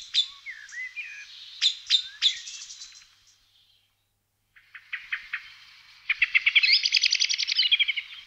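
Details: Common blackbird (Turdus merula) singing in the Czech Republic: short mellow, slurred phrases that break into high, squeaky twittering, then after a pause a fast, busy chattering trill.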